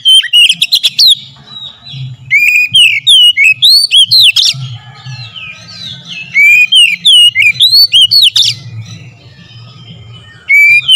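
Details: Oriental magpie-robin song played as a lure to provoke singing: bursts of quick, varied whistles and sharp slurred notes, separated by short pauses, with a constant low hum underneath.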